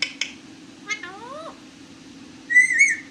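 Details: Talking parrot kept as a pet: two short clicks, then a cluster of upward-sweeping whistled notes, followed by a loud, wavering whistle near the end, with a constant low background hum.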